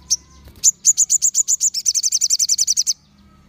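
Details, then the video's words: Crimson sunbirds in a crowd singing to provoke other sunbirds: two sharp high notes open a steady, rapid trill of about twenty bright, piercing notes that speeds up over two seconds. "Sogon Ombyokan Pasti Langsung Nyaut Dan Gacor"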